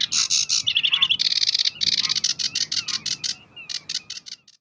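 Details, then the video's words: Sedge warbler singing in May 2016 at Uitkerkse Polder, Belgium: a fast, varied, high chattering run of harsh buzzy notes, a short rattling trill and repeated dry chips, several notes a second and slowing toward the end. "Phragmite des joncs (Acrocephalus schoenobaenus) Sedge Warbler"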